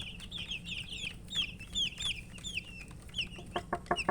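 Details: Several coloured baby chickens, thirsty for water and eating, give high, shrill peeps in quick overlapping bursts. The pitch slides down and rises in short loops, with sharp clicks of pecking through the last second.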